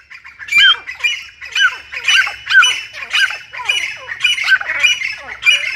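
A grey francolin gives a rapid series of harsh, shrill squawking notes, about two per second, each dropping in pitch, with no other sounds.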